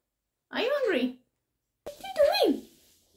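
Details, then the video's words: A monk parakeet (Quaker parrot) mimics human speech in two short voiced phrases, the second sounding like "come here", with a rasping, slightly nasal tone in a quiet room. "Quaker Parrot talking | Parrot saying Come here"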